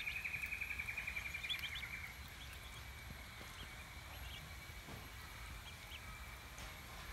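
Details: Australian wood duck duckling in care, 18 days after arriving not long hatched: a rapid, even run of thin, high peeps, about four each second, lasting two seconds, then quiet with a steady low background rumble.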